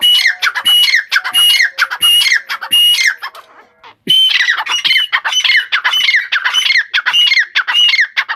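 Grey francolin calling in loud, harsh, ringing phrases repeated rapidly, with a brief pause midway before the calling resumes.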